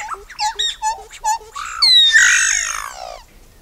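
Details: Solitary black cacique, known locally as xexéu boé, with a run of short rhythmic harmonic chirps followed by a loud, long, rich nasal phrase that slides gradually downward and fades.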